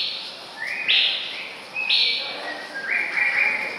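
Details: Short burst from a male white-rumped shama, recorded 24 May 2014: two or three bright whistled phrases, each a quick rise into a held high note, against steady background noise.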